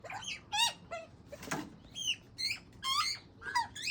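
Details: Juvenile Australian magpie begging from its father: quiet, squeaky, rising nasal calls with buzzy overtones, given about once every half second, with one dull thump midway.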